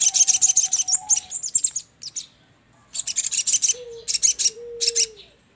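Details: Lure recording of sogon: fast strings of shrill, high chirps in two main bursts, backed by a long low whistled note at first and two drawn-out low whistles later.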